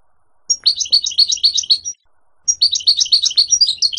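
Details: A Moroccan wild-caught European serin sings two bursts of very high, fast, jingling notes, like glass fragments tinkling, each over a second long with a short pause between.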